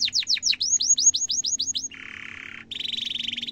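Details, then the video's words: Canary gacor song used as a master for young birds: a rapid string of descending whistled chirps, a low buzzy rasp, then a high dense rolling trill. "kenari gacor panjang cuit cuit emosi, pancingan kenari paud belajar bunyi"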